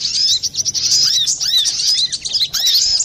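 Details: Brown-throated sunbird lure recording, busy and clear-voiced, used to attract birds for catching or to prompt silent cage birds to sing: rapid high twittering with arched, slurred notes, continuous and chattering throughout.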